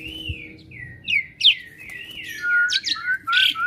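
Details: Asian pied starling known for imitating other birds utters slurred descending whistles mixed with sharp squeaky notes over a low background hum.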